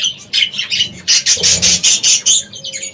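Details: Parrots in an aviary chatter in harsh, buzzy, high-pitched squawks, about eight quick bursts in three seconds, with a faint hum in the background.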